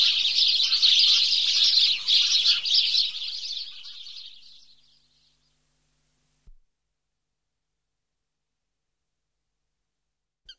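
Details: Morning chorus of house sparrows: a dense, overlapping chorus of bright chirps that fades away after about four seconds, then near silence broken by a couple of faint knocks.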